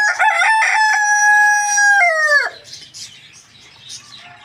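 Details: A morning rooster's loud crow opens with a few choppy syllables, then holds a long, steady note for about two seconds before falling away abruptly. Small birds chirp faintly afterwards.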